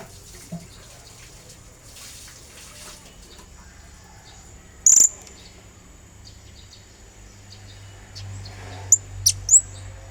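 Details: Blue-crowned hanging parrot singing energetically as a lure to call a rival: a single sharp high note near mid-clip, then three quick shrill notes near the end, with a steady high hiss behind.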